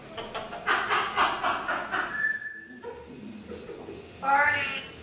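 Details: African grey parrot mimicking human sounds such as cussing, burping and coughing: harmonic speech-like babble, then a steady whistled tone and a brighter squawky burst near the end.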